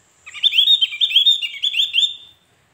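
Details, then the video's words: Javan grey-throated white-eye, played as a lure song to make others answer: a clean two-second burst of fast, high, slurred twittering notes run together in a bright chattering phrase, with a silent background. "Opior Jawa manapun pasti Nyaut dengerin suara burung Opior Ini‼️"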